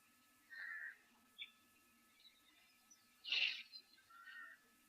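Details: Pied crows, some on the opposite bank, at Okukuyu waterhole in Etosha on 30 December 2023 give harsh, rasping caws at irregular intervals, one louder and hoarse, over a faint hum, with a breeze from the east and a young elephant chasing them.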